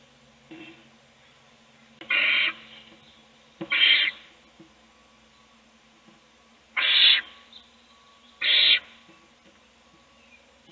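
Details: Adult owl feeding a chick in a nest box, other chicks asleep; four rasping hiss bursts in two pairs, with a long quiet gap between the pairs and a faint weaker hiss before them.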